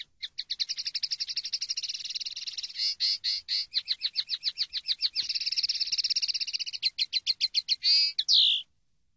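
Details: Common linnet singing on a training CD: a long, rapid, rattling trill of fast twittering notes, shifting pace through buzzy and chattering stretches, ending in a louder downslurred whistle, with no other sounds.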